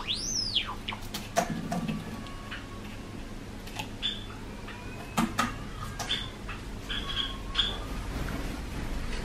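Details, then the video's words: A pet male Java sparrow, four years old, sings a loose string of dry clicks and short bell-like notes, opening with a swooping whistle, over a low indoor hum: a cinnamon male's courtship song to a white female, or a pied male addressing its owner. "想いを乗せたさえずり 桜文鳥＆ごま塩文鳥"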